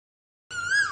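An Asian koel gives one clear whistled note, slightly rising and then dropping, after half a second of silence. It is cut off at the end.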